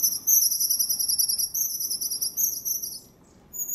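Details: Long-tailed tits recorded wild in January in Moscow Region, Zvenigorod Biological Station, giving continuous thin, very high, slightly wavering notes for about three seconds before a short pause and another high note.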